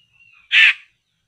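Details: Laughingthrush, locally poksay, being lured to a trap: a thin steady whistle and soft chatter lead into one loud, harsh, grating burst.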